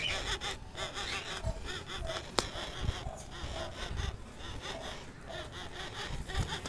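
Month-old keel-billed toucan chicks give rough, wheezy, rasping calls that overlap in a steady, busy stream, with a sharp click partway through and low rumbling noise underneath.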